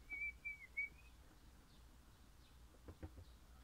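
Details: A happy orange pennant crimson rosella (Platycercus elegans) sings three clear, high, slightly rising whistled notes in quick succession, followed by a few soft knocks and clicks.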